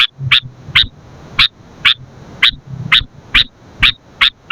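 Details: Sooty-headed bulbul, for training and luring birds, repeating short bright chirps about twice a second at a steady uneven pace, with a low hum beneath.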